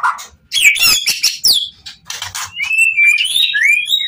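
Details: Emotional White-rumped shama song meant to provoke rival shamas into answering: harsh scratchy bursts first, then smooth rising and falling whistles.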